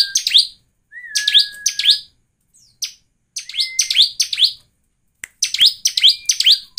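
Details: Bar-winged prinia lure song used to make other birds sing: clusters of loud buzzy downslurred notes, a drawn-out flat whistle in the first phrase, then more chip clusters separated by pauses.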